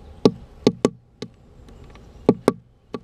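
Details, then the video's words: A woodpecker knocks at a camera it found in a feeding house; loud isolated taps, a pair and a triple, a pause, then another cluster of three sharp knocks. "Specht entdeckt GoProKamera im Futterhaus."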